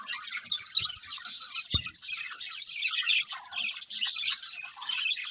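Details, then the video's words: Budgerigars twittering in a steady, crowded chorus of quick chirps and warbled phrases, with a single sharp click and some faint low rustling. "Beautiful Budgies Chirping Sounds"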